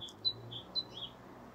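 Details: A Great tit calls from just overhead by an ash tree with a bird feeder at a summer allotment wildlife pond in the morning: short, high, thin notes, about four in under two seconds, alternating slightly in pitch, over faint hum.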